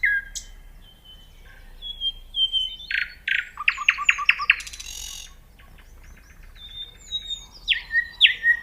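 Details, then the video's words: Varied nightingale song: whistled tones slide between pitches, then a rapid loud trill and a burst of rattling. Scattered whistles follow, and the song ends in emphatic descending notes. "The nightingale singing"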